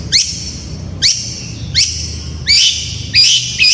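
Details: Long-tailed shrike in fast gacor song used to lure other shrikes into answering: five loud, rising whistled sweeps about every 0.7 seconds, each sliding up then holding high, with faint low hum behind.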